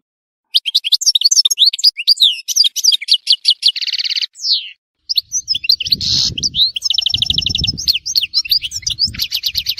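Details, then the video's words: Tissemsilt goldfinch pouring out fast, jumbled twitters and short trills, with a buzzy burst and a slurred note midway; a faint low rumble sits under the second half. "تغريد حسون تيسمسيلت"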